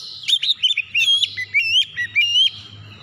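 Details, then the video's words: Oriental magpie-robin singing a lure song meant to get untrained birds singing quickly: a fast run of clear whistled notes and slurred chirps, rising and falling, packed into three seconds with brief gaps. "kicauan Kacer pemikat"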